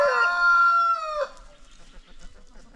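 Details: Free-ranging chicken on a farm: a rooster's loud harmonic crow, held steady for about a second then dropping, followed by quieter farmyard background.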